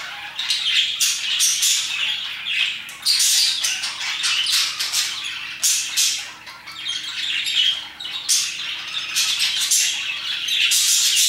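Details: Continuous parakeet chatter in the early afternoon, around 2pm: harsh squawks and rapid chirps overlap in many loud, buzzy bursts, dipping briefly in the middle before building again.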